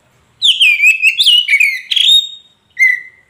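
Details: Magpie robin, poci type, song meant to make a silent caged bird answer: a loud run of varied, clear whistles sliding up and down, a pause, then one short whistled note.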